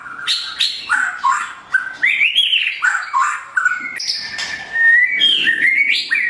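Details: Morning song of a blorok white-rumped shama, played to train other birds: fast sequence of clear whistles, slurred rising and falling notes and crisp chips, delivered almost without pause, ending in a long steady whistle.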